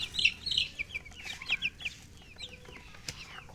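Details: Short burst of chicken chirping: quick, high, downward-slurred peeps tumbling in rapid succession, loudest at the start, then thinning to sparser cheeps with a faint click.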